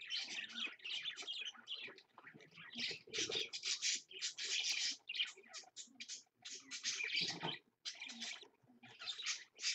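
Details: Parakeets, an adult and two babies, chatter at 6 AM in dense, scratchy high chirps and squawks, nearly nonstop in overlapping bursts, with a few faint knocks underneath.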